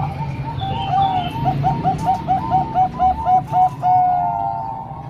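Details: Zebra doves of the Bangkok and local types, sung together as a training track for young birds: fast, regular series of short, mellow, bubbling coos, about four per second, with a steady low hum underneath.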